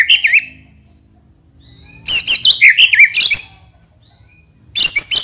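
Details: White-rumped shama (murai batu) singing a lure song meant to provoke other shamas: bursts of loud, varied whistled phrases with rapid warbles and sharp notes, separated by quiet gaps of about a second or more.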